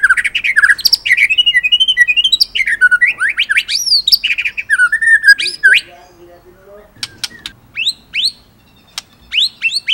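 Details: White-rumped shama giving a full, lively song with rolling and bursting phrases. Fast run of varied whistled notes swooping up and down, then quieter sharp clicks and brief rising chirps toward the end.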